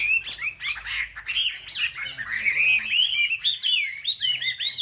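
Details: Chinese hwamei in competitive singing, a caged bird among selected market birds: rich, tumbling whistles and sharp rising slurs, delivered continuously and loudly.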